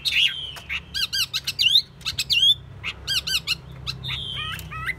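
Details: Caged Chinese hwamei giving sparse, squeaky whistles: long level notes, sharp upward slurs and short harsh bursts separated by pauses, in a small room with low background hum.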